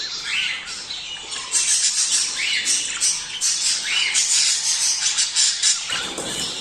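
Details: Budgies' mating sounds for stimulating breeding: quieter warbling at first, then a louder burst of rapid squawks and chirps repeated several times a second.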